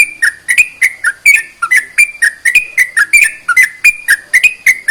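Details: Sooty-headed bulbul in full song, used to get reluctant bulbuls singing: lively string of whistled, slurred notes that alternate up and down, about three each second, crisp and loud.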